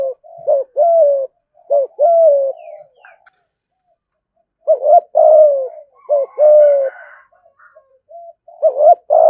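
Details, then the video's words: Spotted dove, a cage bird, repeating thúc gù coos: paired clipped notes leading into long, low, falling coos. About four phrases come in two bursts separated by a silent pause of roughly two seconds. "cu gáy thúc gù"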